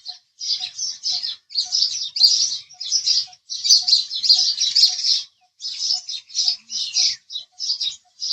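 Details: Harsh house sparrow chirps come in clustered bursts with short gaps, over a faint, regular ticking sound.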